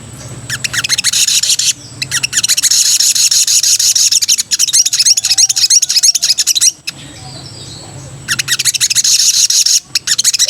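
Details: Female sooty-headed bulbul in breeding condition calling to the male: dense bursts of high, sharp chirps, about three per second, broken by two short pauses.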